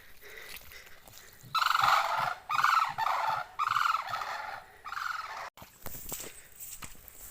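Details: Common cranes, part of a herd dancing at a village pond in Ahirauli, Kushinagar, Uttar Pradesh, in summer, give loud, harsh trumpeting calls in four repeated bursts of about half a second each, with quieter background sounds between.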